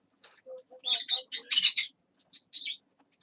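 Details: Pet parrot chatter: low hummed tones under a string of raspy, speech-like syllables, a pause, then two more quick gravelly phrases.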